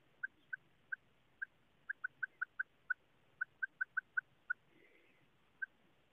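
A female quail gives short, clipped mid-pitched notes, about fifteen in six seconds, in quick uneven bursts over a faint steady background hiss.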